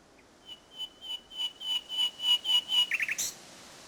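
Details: Common nightingale, Salthouse in Norfolk, 1 May 2011, evening: a slow crescendo of about ten pure, level whistled notes, growing louder, followed by a quick rattling trill.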